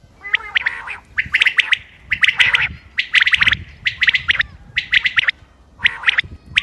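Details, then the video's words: Common quail, 28 May 2025, recording for hunting: tight clusters of bright, clipped notes, several callers overlapping, separated by short quiet gaps. "quail bird sounds common quail bird sounds بٹیر کی آواز شکار کیلئے quail bird bater"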